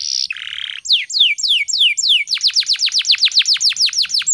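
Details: Morning canary song played to stimulate and tutor other birds: a high buzzy note drops to a lower rasping buzz, then spaced falling whistles speed up into a fast, even run of sweeping notes.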